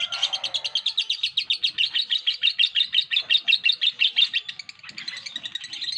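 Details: Lovebird in ngekek chatter, a continuous rapid series of piercing, clipped chirps that softens briefly near the end before resuming.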